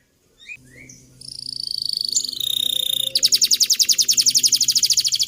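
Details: Young canary training song: brief high chirps, then sustained pure whistled tones stepping higher, breaking into a rapid rolling trill, over a faint low hum.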